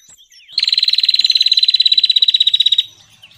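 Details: Bar-winged prinia lure sound used for trapping birds: a loud, rapid, buzzy trill of about thirty evenly pulsed notes, lasting just over two seconds, with faint chirps before and after.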